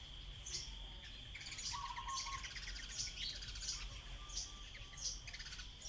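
A common tailorbird gives sharp, high chirps repeated roughly twice a second over a steady insect drone and other faint bird twitters.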